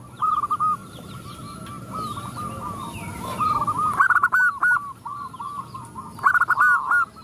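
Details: Zebra doves answering a calling female; several overlapping purring coo phrases in rapid pulses, with two loud stuttering bursts around 4 and 6.3 seconds, and soft high chirping from other small birds underneath.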